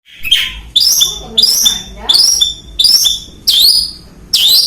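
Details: Young long-tailed shrike, released bird, learning to sing: harsh rasping notes with sharp rising and falling sweeps, repeated about every half second to second.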